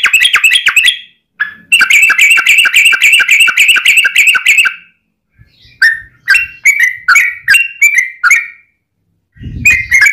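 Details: Yellow-vented bulbul in fighting 'ropel panjang' song, meant to prompt other bulbuls to sing. An intense, buzzy chattering stretch gives way to spaced gurgling notes, with short silences and a low rumble near the end.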